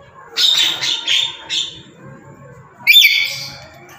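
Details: Black-capped lory, a tame pet bird, gives a run of harsh raspy squawks in quick succession, then after a pause one louder screeching call sweeping upward and falling away.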